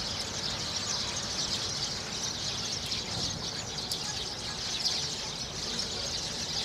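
Sparrows in a busy flock, many bright chirps running together into a steady high chatter with no pauses, over a faint outdoor background hum.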